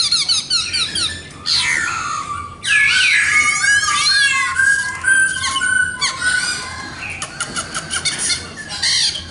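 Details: Black-throated laughingthrush singing at its best: loud, varied phrases mixing rich whistled slides, rising and falling notes, and harsh buzzy bursts, delivered in quick irregular succession with short pauses.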